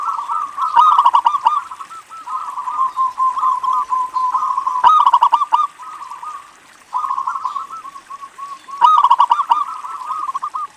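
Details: Zebra dove from local stock, sung as a lure for other doves: three phrases, each opening with a loud stuttering flurry of low coos and tailing into a rapid, steady string of softer notes.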